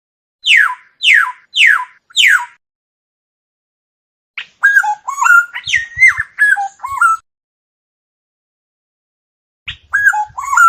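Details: Black-naped oriole, free of background noise: four evenly spaced downslurred nasal notes, then a long run of liquid fluty whistles, and a final short whistled phrase.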